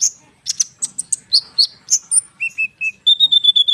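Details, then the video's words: Konin bird rolling song used as a lure for sunbirds: quick high chirps give way to level whistled notes, then a steady high trill-like string of repeated notes. "konin gacor ngerol suara rapat untuk pancingan kolibri bahan cepat respon!!!"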